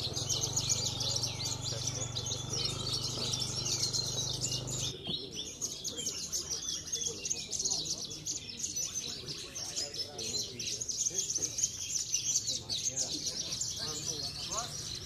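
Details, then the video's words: Javan bush lark, a singing-contest bird from Cilacap that wins trophies weekly, delivers a dense, continuous high twittering song. A steady low hum fills the first five seconds, with voices and crowd murmur beneath. "BMW SETIAP MINGGU SLALU BAWA PULANG TROPHY JUARA"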